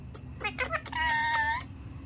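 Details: One of a pair of pet rose-ringed (ringneck) parakeets gives a few short clipped notes and clicks, then a drawn-out nasal, almost meow-like cry that falls slightly at the end.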